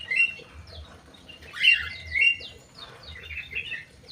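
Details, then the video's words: Aviary-kept crewet gives a busy run of high, chirpy, twittering notes rising and falling in quick clusters. A faint low hum sits underneath. "BURUNG CREWET"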